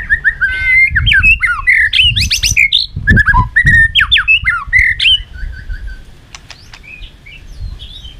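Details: White-rumped shama in full fighting song for training: a fast, varied run of rich whistles, slurs and sharp upward sweeps for about five seconds, then softer scattered notes and clicks, with low thumps beneath.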